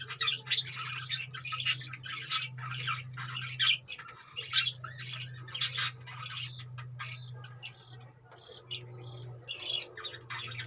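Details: Budgerigars kept in cages giving a long stream of rasping squawks and shrill chirps in irregular clusters, over a constant low hum that drops out briefly partway through.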